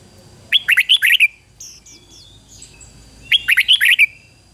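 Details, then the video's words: Decoy red-whiskered bulbul song meant to draw wild birds: two fast whistled phrases almost three seconds apart, with faint thin chirps in the gap and a steady high tone throughout. "Chào mào mồi hót gọi bổi"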